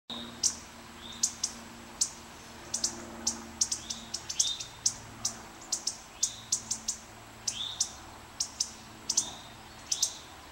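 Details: A male indigo bunting defending its nest at Kay Environmental Center, switching its tail, gives sharp, dry spit notes, about two each second, some doubled, over a faint low hum.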